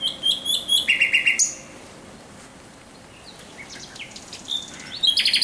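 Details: A thrush nightingale sings at night on 17 May 2023: rapid repeated clicking notes, then a low buzzy trill, a quiet gap, faint distant phrases, and a new burst of fast rattling strokes.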